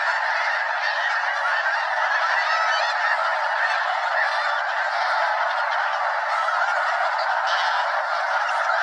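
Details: Snow Geese, a flock well over 200 strong, wheel over Limestone Bay in North Alabama's Wheeler National Wildlife Refuge; loud, continuous massed honking, individual barking notes blurring into one roar.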